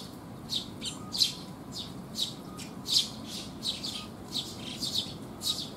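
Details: Several sparrows gathered to be fed on a rainy day in June 2021; harsh buzzy chirps repeated about every half second, overlapping, above a soft background hiss.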